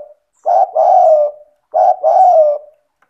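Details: Spotted dove, a 'gacor' (persistently calling) bird used to prompt lazy doves to call, gives two low cooing phrases. Each phrase has a short note followed by a longer, slightly falling, rough coo, with a pause between phrases.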